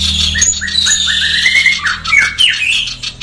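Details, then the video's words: Female sooty-headed bulbul in fast, dense, harsh song: bright whistled notes, rising and falling, run together into quick chattering phrases, with a constant low hum beneath. "masteran burung sirpu betina gacor SPEED RAPAT + KASAR"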